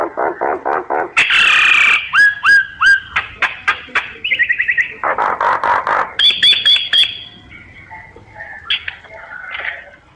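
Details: Myna used as a decoy for bird surveys, giving a varied run of quick harsh chattering notes, loud raspy bursts, short whistled slurs and a trilled phrase, then softer scattered squeaks at the end.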